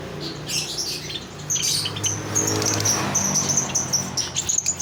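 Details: Lovebird kept as a pet, giving rapid high-pitched chirps and squeaky trills that begin at about one and a half seconds and run steadily to the end over a low steady hum.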